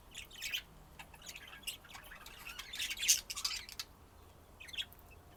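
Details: Budgerigars chirp and squawk in rough, irregular bursts, peaking in a loud, harsh flurry midway, then dropping to a few scattered chirps.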